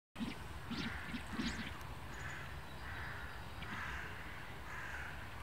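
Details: Mandarin ducks (Aix galericulata) chatter in Łazienki Królewskie park, Warsaw, possibly sensing spring: about five short, harsh, nasal calls in quick succession, then a steady low background rumble and hiss.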